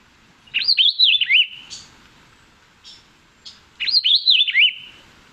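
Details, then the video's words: Puerto Rican Vireo ("bien te veo") of Puerto Rico gives two quick whistled phrases about three seconds apart, each a bright wavering run of rising and falling notes, with faint soft chips between. "That was the call of the Puerto Rican vireo."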